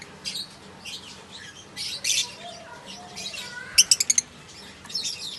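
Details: African lovebirds, male and female, chirping: soft high chattering phrases, a quick run of five sharp harmonic chirps, and faint lower whistled notes under the chatter.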